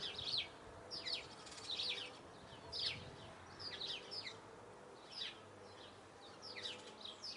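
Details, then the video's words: Eurasian blue tit singing short, high, thin bursts of twittering notes, roughly one phrase every second, over a faint low background hum. "Marvelous song of Blue tit"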